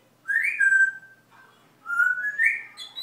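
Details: Whistling from a pet parrot that is learning to talk Dutch: two clear, rising-then-level whistled notes, each about three-quarters of a second long, separated by a brief pause, in a quiet room.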